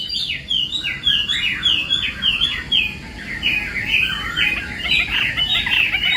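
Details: Chinese hwamei, contest singing during morning training: a fast, even series of short bright downslurred notes, about six per second, over a steady low background hiss.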